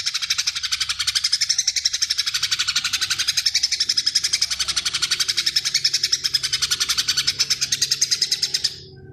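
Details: Greater green leafbird giving full 'tembakan' song filled with long 'gereja' passages: an unbroken, rapid, strident burst of high, buzzy repeated notes, about four per second, lasting over eight seconds before fading out.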